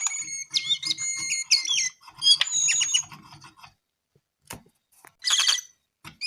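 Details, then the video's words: Brown-eared bulbul giving bright, clear whistled notes and chattering phrases over a low background hum, then a pause, a sharp click and a short harsh burst. "KICAU JONGKANGAN COKLAT GACOR TELER"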